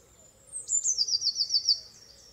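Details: Robin singing a thin, very high trill that starts with a drawn-out whistle and runs into a quick wavering phrase of repeated notes, with quiet surroundings.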